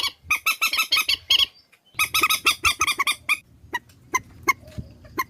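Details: Harsh, nasal honking squawks from a swamphen, spliced into a trapping lure, come in two rapid bursts separated by a short gap, then fade to scattered single notes over a faint low hum.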